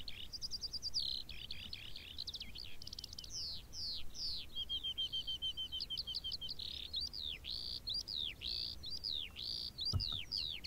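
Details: Skylark singing over open moorland: a continuous, high, tumbling stream of twittering trills, slurred whistles and buzzy notes, fast and varied, pouring on without pause, with soft wind in the background.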